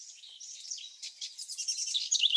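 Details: A House Wren sings its complex song: a fast, bubbling jumble of high chattering and trilled notes, rising in energy toward the end.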